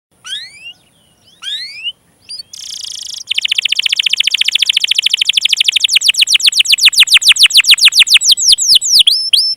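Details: Canary song used as a lure to prompt stalled and young canaries to sing: a few sweeping upslurred notes, a brief buzzy burst, then a long, fast, steady trill of repeated notes that gradually slows into separate downslurred whistles.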